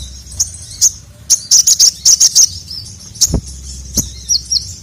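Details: Sogon or crimson sunbird calling for a male, played to excite a silent bird. Bright, high clipped chirps come in a quick burst of about eight, then spaced single notes, with two low knocks.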